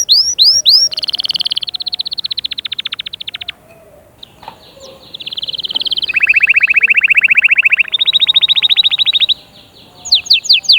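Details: Canary song meant to encourage chicks to sing and prepare females: loud, high tours of fast repeated notes, including a buzzy rattling trill and a bright rolling trill, opened and closed by rising whistled sweeps, with a short pause midway.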